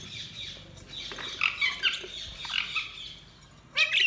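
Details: Budgerigars chirping: soft, overlapping warbled chirps and short squeaks that rise and fall, ending in a louder cluster of sharp chirps.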